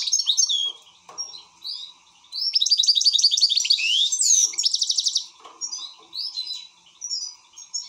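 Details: Excited European goldfinch with scattered chirps leading into a loud, fast tinkling run and a rapid buzzy trill, then softer intermittent twitters, over a faint steady hum.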